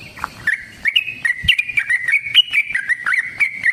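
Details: Sooty-headed bulbul delivering an energetic song: an unbroken flow of liquid whistled notes, rising and falling in short steps, with faint clicks.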